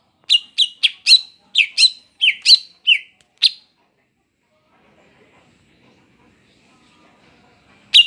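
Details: Female greater green leafbird in breeding condition, kept to lure males, giving a series of about ten sharp, buzzy chip notes in quick succession, then silence and one more note at the end.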